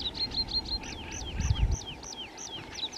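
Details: Common chiffchaff (Phylloscopus collybita) singing in the rain on 26 April 2023, a steady, repeated two-note chiff-chaff of about four high notes a second, over a low rumble of rain and a faint steady hum.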